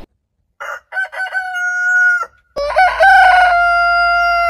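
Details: Two heritage roosters crow in succession, each starting with clipped stuttering notes and stretching into a long, clear, steady harmonic tone, the second louder and closer with a low hum behind.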